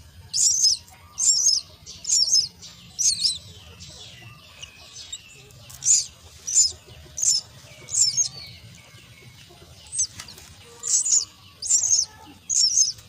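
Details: Begging common myna nestlings during feeding: harsh, high-pitched squealing bursts repeated roughly once a second in a long insistent series, with a brief pause midway and faint background hum.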